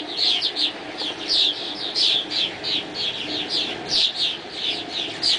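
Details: Swallows in dawn flight giving a lively, continuous twitter of sharp high notes, bunched in pulses roughly every half second.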